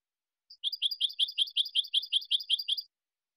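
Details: Goldfinch singing for the silvestrismo tradition, with a short lead note followed by eleven quick, high, tinkling chirps delivered in a steady, even rhythm against complete silence.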